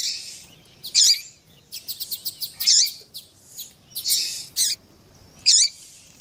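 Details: Double-collared seedeater pair, female calling to encourage the male to sing: loud buzzy high bursts alternating with short chip notes, repeated irregularly over several seconds.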